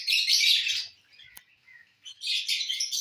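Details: Lovebirds enjoying corn on the cob give a loud burst of high, rasping chatter, a quiet gap with a soft tap, then another shrill chattering burst.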